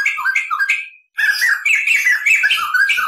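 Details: Crested laughingthrush used as a tutor recording, singing a long rolling chatter of quick whistled and squawky notes, broken by one brief silence before a dense, busy passage resumes.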